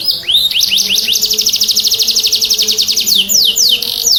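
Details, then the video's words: Canary singing strongly, used to make silent or stressed canaries sing. Opening rising slurs lead into a long, very fast, even trill of high chirps, which ends with a few slow, loud downward sweeps. "Pancing Kenari Bunyi Kenari macet Langsung Respon"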